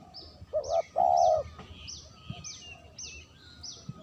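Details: A spotted dove, recorded as a lure, gives a quick double coo and then a longer level coo. Afterwards an unrelated bird continues with high, sliding chirps, spaced about half a second apart.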